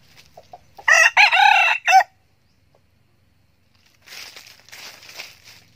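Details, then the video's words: A single strong, rich crow from a young cock red junglefowl used as a decoy, 2019: a brief lead-in note, a long sustained middle and a sharp closing syllable, followed by silence and then soft rustling. "Gà tơ siêng gáy, gà rừng mồi"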